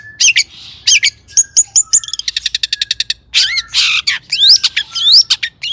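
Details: Long-tailed shrike (cendet) song meant to rouse other shrikes to sing: a fast series of ticking notes, harsh scratchy bursts and bright rising whistles sweeping upward.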